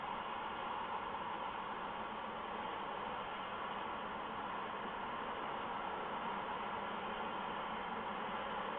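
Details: Steady, even hiss of static fills the whole recording with no calls or other distinct sounds.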